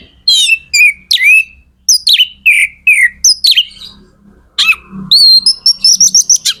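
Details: Kacer, the magpie-robin, in vigorous song to spur other birds into singing: varied slurred whistles and rasping notes, ending with a fast run of repeated high whistled notes; faint low hum behind.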